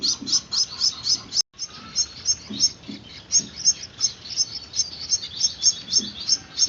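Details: Hand-fed Gouldian finch chicks beg with thin, high chirps, fast but uneven in spacing, broken by a brief gap early on, with soft low thuds in the background.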